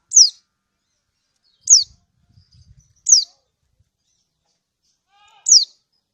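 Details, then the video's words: Female kecial kuning from Lombok, the lemon-bellied white-eye, calling to a male as a lure for other birds: four shrill, falling 'ciak' notes about one and a half seconds apart, faint low thuds between. "Ciak burung Kecial Kunin Lombok ini Efektif Untuk yang Lain Supaya Bunyi"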